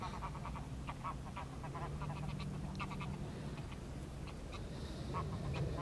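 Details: Mallards give short nasal quacks in loose, irregular bursts, several birds calling over one another against a steady low rumble, recorded 10 March 2021 alongside cackling geese and a mute swan.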